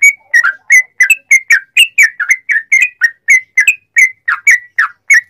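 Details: Sooty-headed bulbul delivering long continuous 'ropel panjang' song to draw replies from other bulbuls; about twenty quick liquid whistled notes, each dipping or lifting, with no gaps.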